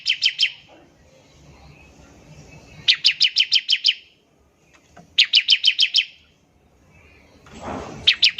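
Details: Ngebren trill of a bar-winged prinia, sung to coax other prinias to start singing: quick rows of six or seven piercing high notes, bouts spaced two to three seconds apart, a brief rustle near the end.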